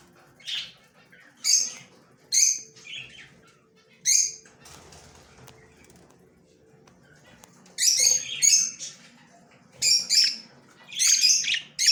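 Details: Yellow male budgerigar, October 9, 2024: scattered shrill, raspy chirps at first, a quieter stretch in the middle, then rapid clusters of bright, piercing chirps toward the end.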